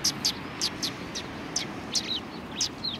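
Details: Sparrows, a small group at a Tenmangu shrine, call with bright, quick chirps repeated in uneven bursts, a few notes doubling into tight pairs, with faint low outdoor rumble underneath.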